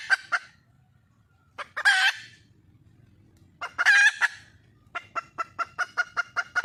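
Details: Wild junglefowl hen seeking a male: a few clucks, two hoarse, loud squawks separated by quiet, then a fast, steady run of sharp clucks to the end; soft low rumble underneath.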